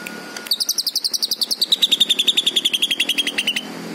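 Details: Green leafbird delivering a long, rapid trill of high, bright notes repeated several times per second, gliding gradually lower in pitch over about three seconds before stopping.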